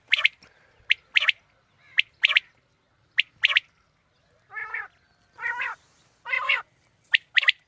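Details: Quail calls used to lure quail for morning hunting: sharp, clipped three-note phrases (one short note, then a quick double) alternating with lower, nasal, harmonic-rich calls, repeated about once a second in a quiet background.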